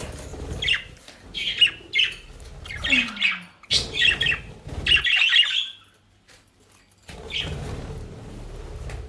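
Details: Pet budgerigars in The Hague, Netherlands, eat dry leaves and grass bought at a bird shop. Sharp, raspy chirps and chattering squawks come in quick clusters, then pause, with soft rustles between.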